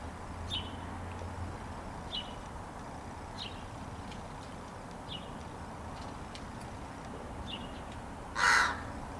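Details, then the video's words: Crow resting on an arbor, calling back to a person visiting it on 15 May 2017: soft thin high chirps recur every second or so, then one short harsh caw bursts out near the end. "talking to Woody Crow on the arbor, love his answers"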